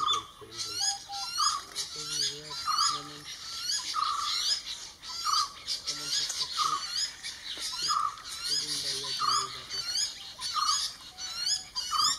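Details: A common hawk-cuckoo chick, a brood parasite, begs while being fed by jungle babblers: short, insistent notes repeated roughly every second, over the babblers' busy chatter and brief human voices.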